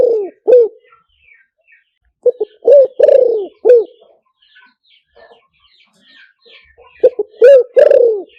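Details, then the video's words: Spotted dove coo for luring birds with a loudspeaker, two phrases of low rough coos, each with short lead-in notes and a long falling note, separated by a gap with faint distant chirps. "เสียงต่อนกเขาใหญ่หมานๆ, เสียงนกเขาใหญ่ใช้ต่อลำโพงหมานๆเสียงชัดHD"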